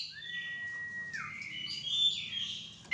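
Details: White-rumped shama in a mating pairing: a sustained level whistle that drops away, then softer warbling high phrases and a sudden sharp note at the end.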